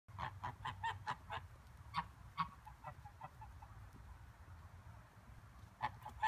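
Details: Six Toulouse geese on a farm coming in for the night, giving short nasal honks in quick irregular bursts, clustered early and again at the end, with low rumbling background noise.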